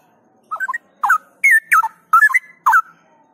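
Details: Straw-headed bulbul, an Indonesian cage bird, trained outdoors for gacor and ngropel song: six loud bursts of mellow, bubbling whistles, each twisting up and down, roughly one burst every half second.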